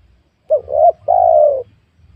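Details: Luring of wild spotted doves in a young oil palm field; one clear three-note cooing phrase, short, short, then long and gently falling, with faint low-pitched background noise.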